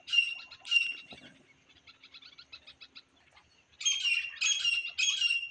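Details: Grey francolin calling, with a pet partridge used as a decoy to lure wild birds into a trap. Harsh chirping notes come first, then softer chatter, then three strong grating calls in quick succession.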